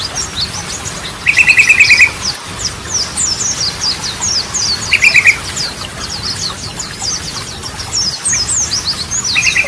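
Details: Yellow-vented bulbul lure song in Ropelan, Goklikan and Garudaan styles for prompting silent birds. Streams of high sweeping notes, broken three times by loud, rapid buzzy rattles about a second long.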